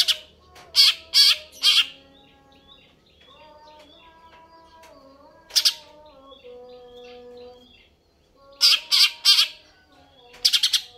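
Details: Greater green leafbird in lively song: clusters of loud, grating notes alternating with quieter varied whistles and warbles, then a fast closing series of harsh bursts.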